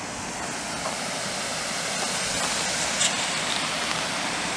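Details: Continuous broadband rush of flowing water, like a stream or small waterfall, fills the wetland scene with no animal voices.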